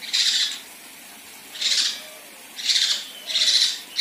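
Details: Female kinoi giving rough 'tembakan' calls for contest-bird training: spaced, loud, scratchy buzzing bursts, the first alone, then a pause of about a second, followed by three more bursts closer together.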